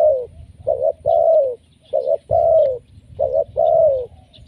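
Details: Spotted dove lure call from a vocal, lively bird, used as a decoy to draw in other doves: low mellow coos in three pairs, each a short note then a longer drawn, downward-slurred one, over faint low hum.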